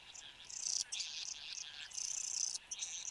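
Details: Satin bowerbird displaying at its bower in Australia, 10 January 2015, 8:02 am, filmed by a webcam: a continuous hissing, buzzy churring with short breaks, rising and falling in loudness, over a steady background hum.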